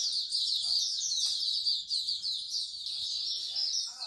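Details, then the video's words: Songbirds gathered at a bird singing corner in Singapore sing together in a bright, busy jumble of sharp whistles and quick twitters, backed by a faint low hum of people. "Bird Singing Corner"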